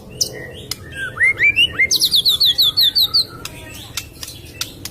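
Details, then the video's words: White-rumped shama singing as a lure for a reluctant bird after moulting: a few rising whistles, then a fast run of about ten bright repeated notes, over a low background hum. "suara burung murai batu ,pancingan murai batu males bunyi, macet, beres mabung"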